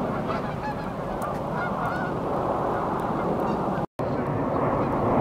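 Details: A flock of geese taking off from a riverbank resting spot at Beaver Dam Flats, Calgary, Alberta, as they leave on flights for warmer climates; dense overlapping honks merge into a continuous roar with strong low rumble throughout.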